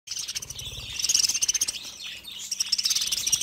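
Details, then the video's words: Budgies chirping together: dense, rapid high twittering and scratchy chirps overlapping throughout, with louder rhythmic bursts of chatter in the second half. "BUDGIES Chirping Sounds"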